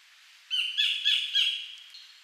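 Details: Wild collared kingfisher calling at Bung Boraphet, Thailand, in 2011: a single series of four loud, harsh, ringing notes evenly spaced, fading into quiet afterward.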